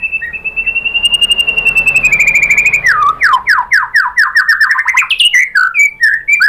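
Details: White-rumped shama lure song meant to make birds sing: a long sustained steady whistle, followed by a rapid series of repeated downslurred whistled notes and varied sweeping ending phrases.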